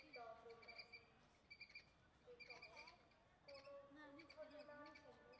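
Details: Hornbill giving harsh, nasal, harmonic-rich honking calls in short bursts, some notes held and others bending up and down, with brief pauses between groups over about five seconds.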